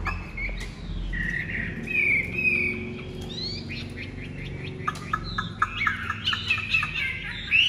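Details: A Chinese hwamei (Garrulax canorus) with a pure white wing feather sings a loud, varied run of clear whistles: sliding, rising notes mixed with quick chattering trills, over a low background hum.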